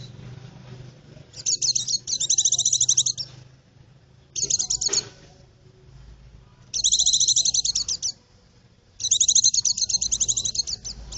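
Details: White-eye singing, used for luring birds in the forest; loud, very high trilled chatter in four extended bursts of rapid notes separated by short silences, with light low background noise.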